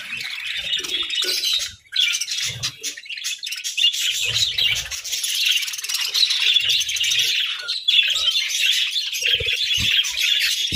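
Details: Happy budgerigars kept as pets warble steadily, blending bright chirps, trills and rasping twitters into one unbroken flock chatter, with a short dip in volume early on and faint low knocks beneath.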